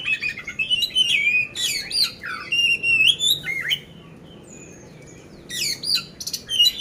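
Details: Oriental magpie-robin, a loud contest-ready caged songbird in Magelang, Central Java, pouring out rapid varied whistles, chirps and buzzy trills in clustered phrases, a silent gap in the middle, then another energetic burst.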